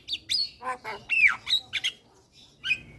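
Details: Black-winged myna song used as a lure to make young birds sing: harsh squawks mixed with clear whistled notes sliding down, bursts of varied phrases with short gaps.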